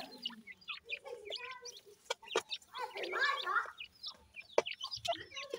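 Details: Grey francolin chicks while feeding: many short high chirps and peeps, some sliding down in pitch, with lower clucking notes, scattered clicks and faint voices in the background.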